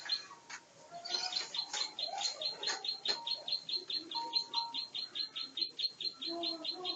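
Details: Plain prinia, a champion bird singing in extreme fighting form, pours out a steady series of sharp, high, evenly spaced notes, over two per second, mixed with scattered lower whistles and chirps from other birds.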